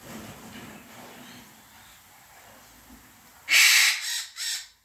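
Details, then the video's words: Caged pair of white-fronted amazons kept three years, filmed mating in the morning; after quiet background rustling, a loud harsh squawk bursts out, followed by two shorter raspy squawks. "White Fronted Amazons Mating (Albifrons)"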